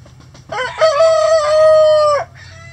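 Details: On a sunny day at a chicken rescue sanctuary, a rooster crows loudly inside the coop: stuttering rising notes open into a long, steady, ringing tone of about one and a half seconds that ends abruptly, with soft scratching and a low hum behind.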